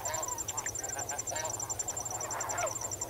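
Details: Quieter, more distant-sounding snow goose flock swimming and wading: a continuous jumble of overlapping soft honks with no single standout call, under a clear repeating high cricket chorus.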